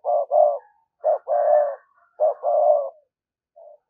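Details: Decoy spotted dove cooing to attract wild doves: three phrases about one second apart, each a clipped note followed by a longer, full coo, then a faint trailing coo at the end.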